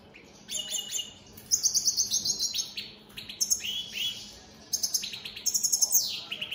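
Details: Opal split satinette European goldfinches singing throughout the day: dense, energetic twittering with rapid trills, tinkling high notes and buzzy slurs, broken by a brief pause midway.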